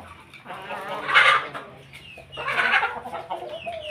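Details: Chicken (Gallus gallus domesticus), a pelung, Bangkok and ketawa crossbreed kept at home, crowing at midday while feeding with its family flock: two short, harsh, bursting calls about a second and a half apart.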